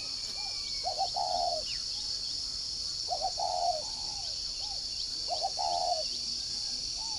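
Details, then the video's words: Spotted dove kept as a decoy bird in Ba Vì, Hanoi, northern Vietnam, singing in the "giọng còi" style: three stuttering, then drawn-out, soft coo phrases with faint trailing notes, spaced about two seconds apart, under loud continuous insect noise. "Mồi giọng còi"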